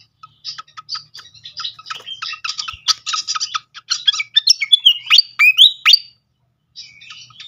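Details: Lure sound of srikatan (flycatcher): quick ticking chips accelerate into a loud jumble of twitters and swooping whistles, then stop. Softer chattering returns after a short gap.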